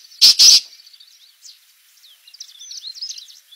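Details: Black francolin in a jungle gives two loud, harsh, rasping notes in quick succession, followed by faint high twittering from small birds.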